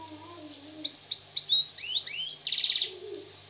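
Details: Moroccan European goldfinch giving a brief song: a few scattered high chips, then quick rising and falling liquid notes and a dry buzzy rattle before a final chip.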